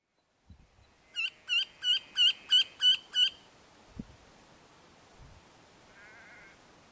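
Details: Red-throated wryneck calling: a series of seven nasal, ringing, evenly spaced notes, about three per second, then silence with a faint distant buzzy sound and a few low thumps.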